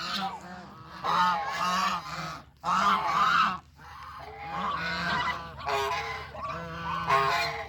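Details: Farm geese moving together in search of food, calling in loud honking bursts with distinct pauses, the later calls lower and more drawn out.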